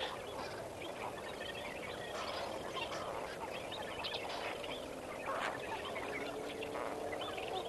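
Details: Large flock of lesser flamingos at Kamfers Dam at sunrise, 18 May 2024: a dense, continuous chorus of nasal, goose-like honking and gabbling, many voices overlapping.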